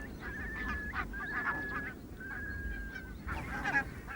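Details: A wintering flock of barnacle geese grazing a field on an RSPB reserve on Islay, Scotland, keeps up a steady overlapping chorus of short, yapping honks and a few drawn-out nasal notes over a low rumble.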